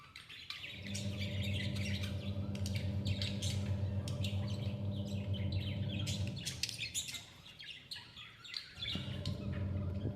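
Newly hatched budgerigar chicks give thin, rapid chirps over a steady low electrical hum.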